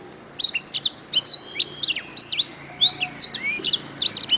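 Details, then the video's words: Canary master song used to train songbirds: continuous lively twittering of high, looping chirps and quick trills, with brief whistled slides between phrases. "Masteran Suara Kenari"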